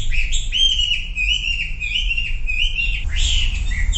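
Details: Song of a Sumatran leafbird, used to trigger silent birds to sing, with drawn-out wavering whistles followed by a sudden burst of harsher chatter, low hum beneath.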